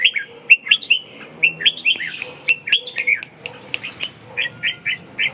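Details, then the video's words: Red-whiskered bulbul delivering a lively stream of loud, slurred whistled notes, several per second, bouncy and varied in pitch, with occasional sharp ticks and a soft low background murmur. "Kênh về chim Chào mào"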